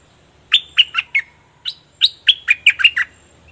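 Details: Two lively phrases of bright, falling chirps from a bulbul known locally as nok dok taeng, now in full plumage. A four-note group, a short gap, then a faster run of about eight notes.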